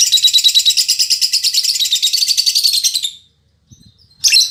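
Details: Fighter female lovebird, said to be as chatty as a male, delivering a fast continuous buzzy chattering trill for about three seconds, then silence and one more harsh burst.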